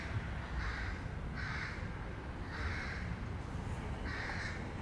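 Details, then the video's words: Young crows being fed: repeated harsh, nasal caws, four to five short bursts roughly every second, over a constant low rumble of background noise. "Corneille / Crow Youngs feeding... or not."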